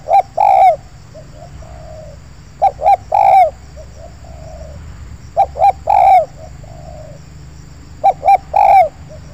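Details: Spotted dove cooing at an oil palm plantation during luring of a wild bird: four loud phrases, each two short coos and a longer bowed coo, every two to three seconds, alternating with softer, distant coo answers.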